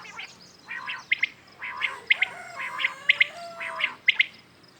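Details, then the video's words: Common quails calling in the morning. Short high bursts with ringing tonal accents recur about every second, and a thin sliding whistle runs faintly beneath them. "Today common quails calling"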